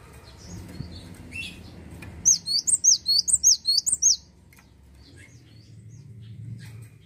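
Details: Cinereous tit in lively song: about two seconds of quick, evenly spaced high two-part notes, bright whistled and ringing, set against a low rumbling background murmur before and after.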